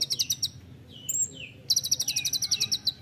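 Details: Olive-backed sunbird, 'nembak rapat' dense song style for tutoring songbirds: a quick high trill, a pause with faint thin slurred whistles, then a second longer pulsing trill.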